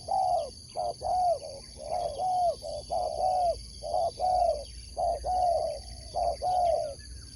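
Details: Spotted dove kept for sport dove competition, cooing steadily in grouped phrases of short and long hollow notes, nearly one per second for seven seconds. A faint high drone and scattered small-bird chirps continue behind.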